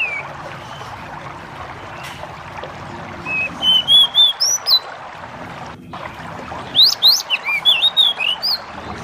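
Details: Bar-winged prinia, known locally as jidengan or decu, singing over a background of nature sounds: two bursts of sweet whistled notes, rising and falling slurs repeated quickly, with a steady low water-like rush throughout.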